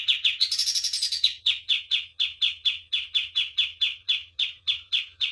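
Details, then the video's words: Pied triller master song used for training cage birds, in a lively full-voiced style: a quick burst of high notes, then a steady string of sharp buzzy chirps repeated about three times a second. "MASTERAN KAPAS TEMBAK GACOR DOR"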